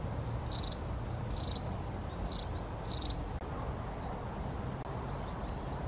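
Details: Long-tailed tit calling: four harsh buzzy bursts in quick succession, then high thin trilled runs of tiny notes, set against a low continuous background rumble.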